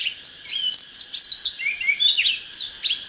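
An Oriental magpie-robin sings a rich, fast run of clear whistles, slurred rising and falling notes with a few sweet trills, in phrases under a second long with no other sounds.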